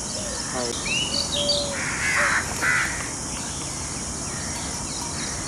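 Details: Male peacocks showing off their plumage to a peahen in a scenic setting. Two or three coarse, nasal honks run together near the middle, with whistled notes from other birds before them and an insect hum throughout.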